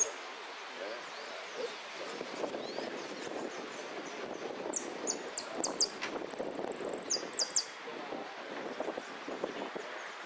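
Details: Jilguero, or saffron finch, competing in a singing contest at Irupe, 3 January 2016, entry in the 'amarillo sin cierre' class; quick high chirps and a short buzzy trill midway through, over rustling, crowd-like background noise.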